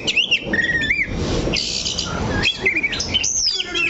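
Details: An oriental magpie-robin (kacer) holding still on its perch sings short looping whistles and sweeping upslurred notes, interrupted by broadband rustling noise between phrases.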